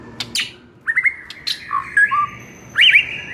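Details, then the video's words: ['Murai master song to provoke singing: sharp clicks, quick rising whistled triplets, low gurgling notes, and a loud final flourish of overlapping whistles.'] "SEKALI DENGAR Murai LANGSUNG NARUNG dengan MASTERAN satu ini"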